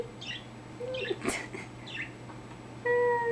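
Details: Male pet budgerigar, newly vocal, chatters with scratchy, rising and falling warbled notes indoors; a steady electronic beep tone sounds at the end.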